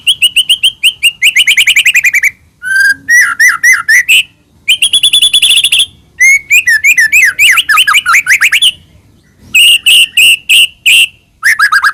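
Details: Long, varied white-rumped shama song used as a lure to make another shama sing: rapid rattling trills, warbled whistles and sweeping rising phrases in several bursts with short gaps.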